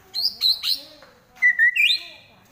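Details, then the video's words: White-rumped shama singing trotol, a fighting song style, as a kept bird. Three quick high whistled notes, a short pause, then a clear run of loud whistles ending in a rising, sustained slur, against a quiet background. "Murai Lepas Trotol Tarung"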